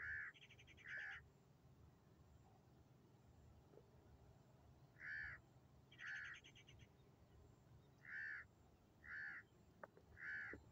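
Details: Sindhi black francolin (kala teetar) giving its rasping call in phrases: buzzy, harsh notes grouped in twos and threes, some with a rattling texture, repeated about once a second with short pauses between bursts, over faint background hiss.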